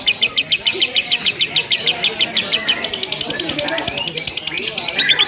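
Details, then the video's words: Contest-style lovebird chatter, long and unbroken: evenly pulsed shrill high notes about three per second, steady and regular, with other birds faintly behind. "LOVE BIRD TERBARU 2025 NGEKEK TANPA JEDA DURASI PANJANG"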